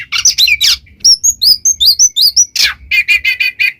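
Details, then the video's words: Oriental magpie-robin singing in 'gacor ngeplong' style for teaching pet birds: harsh opening notes, then a quick series of high sliding whistles, a buzzy burst, and five repeated chirps about six per second. "SUARA burung Kacer GACOR NGEPLONG paling ampuh"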